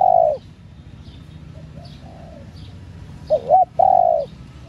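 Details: Female spotted dove calling to stimulate male doves, kept birds: a loud steady coo at the start, then faint soft coos, then a two-part phrase of short wavering notes followed by a long level coo.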